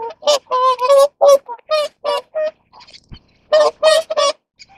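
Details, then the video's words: Mating whooper swans call in a dense run of nasal, trumpeting honks, some notes doubled or wavering, a brief thud near the middle, then another burst of three to four honks. "大天鵝(黃嘴天鵝)-交配/Whooper Swan-Mating"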